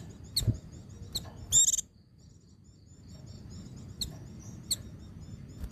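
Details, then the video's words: White-eye singing 'ngecir sambung ngalas', a training song for stirring other white-eyes: scattered sharp high chips and one dense buzzy trill burst, with a running thread of soft high twitters and low background hum. "Suara Burung Pleci Ngecir Sambung Ngalas"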